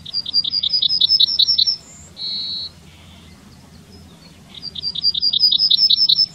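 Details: In Wittlich in 2019, a Yellowhammer repeats its song twice. Quick rows of high, evenly spaced chips end in a long steady note with a lower trailing tone, against soft background rumble.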